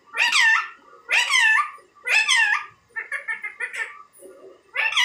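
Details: Talking Indian ringneck parakeet repeats three loud, drawn-out, bending syllables about one second apart, followed by a quicker, softer chatter of short notes and a final loud syllable.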